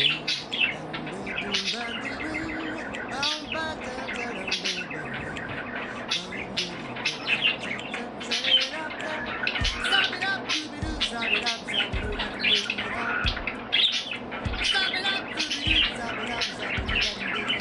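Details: Two pet budgerigars singing, warbling in a busy, chattering stream of high chirps and squeaks over soft background music.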